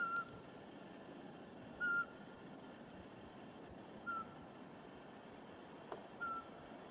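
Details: A Eurasian pygmy owl in forest near Porkuni, Virumaa, in mid-March 2019 gives short, clear, single whistled hoots about every two seconds, with a steady low rumble in the background.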